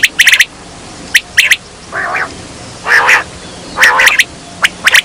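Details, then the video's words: Quail calling as a hunting lure: quick triplets of sharp, high clicking notes, broken by longer, hoarse, grating calls, over a faint constant hiss. "Batair ki awaz"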